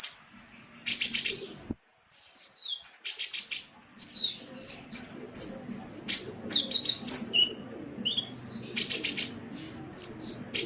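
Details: Sunbird song from a tutor recording for cage birds: buzzy rapid ticking bursts alternating with high whistled notes, some sliding downward, in a busy irregular sequence.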